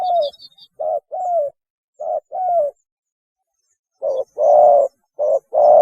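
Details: Spotted dove giving its mating call, used as a lure: soft hollow coos, short then longer, in irregular pairs with a pause midway, and faint high chirps in the background.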